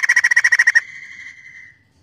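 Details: Lively crested laughingthrush song meant to coax other birds into singing: a quick burst of about ten loud pulsed notes, followed by a long, fading level whistle.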